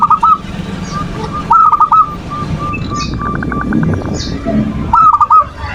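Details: Zebra dove (perkutut) manggung, used as a lure to stir other doves to call and into breeding condition; short bursts of rapid bubbling coos, clustered near the start, middle and end, with chirps of other small birds between.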